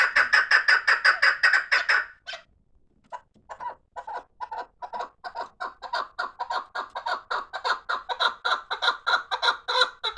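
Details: Chukar partridges kept for fighting give a dense, rapid run of rasping chucks, fall silent for a moment, then restart with sparse notes that quicken into a long rhythmic chorus.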